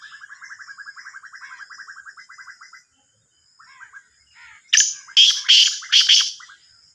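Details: Black francolin, described as a Sindhi black partridge, gives a loud harsh grating call of four rasping bursts near the end, after a long run of softer rapid chirping from another bird, with a steady high whine throughout.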